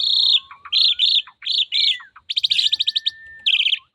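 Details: Actively singing female Javan pied starling, pumping as it sings: loud harsh nasal chattering notes in quick pairs, then a fast rattling burst, with thin drawn-out whistles gliding underneath.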